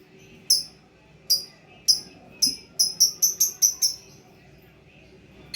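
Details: Lovebird singing actively (gacor): short, sharp, high chirps that start spaced and then quicken into a close run of about six near the end.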